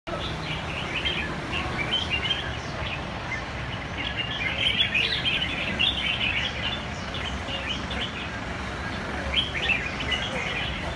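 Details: Red-whiskered bulbul singing: bursts of quick, bright chirped and warbled notes, repeated in rapid clusters over a steady background hum of low noise.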